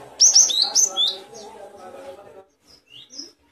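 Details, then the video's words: Great tit song offered as a tutor recording for songbirds: a quick burst of three or four high, thin whistled notes sliding downward, then a faint low murmur and a few soft high chirps. "Suara burung gelatik batu"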